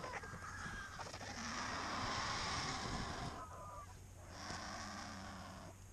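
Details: Cinereous vultures feeding on the fresh carcass of a mare in Segovia, Spain, giving harsh, rasping broadband bursts of a second or more, with brief quieter gaps between them.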